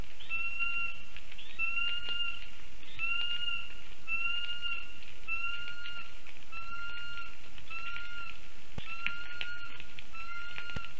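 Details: Lesser spotted eagle family heard near a black stork nest in Ogre municipality, Latvia, on 19 August 2024 at about 1:19 pm via nest camera: a steady series of about nine clear, whistled yelps, each roughly a second apart, over constant background hiss.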